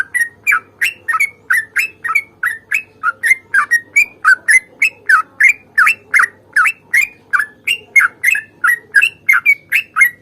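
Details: Sooty-headed bulbul in a long, continuous fighting song for drawing out song from other birds. More than thirty quick, fluty, bubbling notes follow in steady succession over ten seconds.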